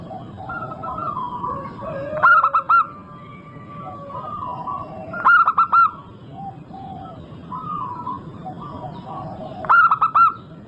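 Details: Zebra dove of a local strain, singing vigorously as a lure for other doves: three loud bursts of clipped, ringing coos spaced a few seconds apart, with softer cooing and a constant low hum between.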